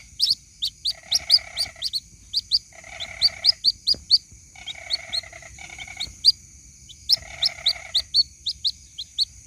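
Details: White-breasted waterhen chick calling its mother, a lure recording: sharp high chirps repeated several times a second, broken by bursts of a lower buzzy rattle, over a steady high whine.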